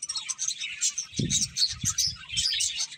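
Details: Finches twittering while eating, high quick chirps throughout, interrupted by a couple of low thuds or knocks around the middle.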